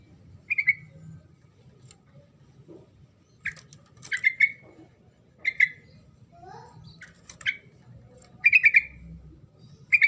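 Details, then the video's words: Sooty-headed bulbul giving a lively song meant to make silent birds reply: scattered short, gurgling phrases and single chirps spread across ten seconds, with sharp clicks and scrapes between them. "SUARA TRUCUKAN GACOR NGEROL SEPERTI INI PALING DISUKAI TRUCUK BISU LANGSUNG NYAUT RIBUT"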